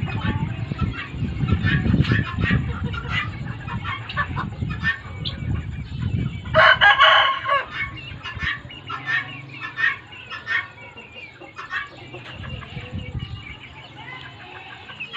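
Guineafowl give harsh, rapid, repeated chattering calls over low rumbling background noise.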